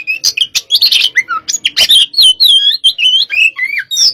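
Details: Oriental magpie-robin, kept as a "hot type" bird in a stimulating session, singing a dense, rapid string of sharp chips and varied whistled phrases that slide up and down, with short bright notes packed closely together.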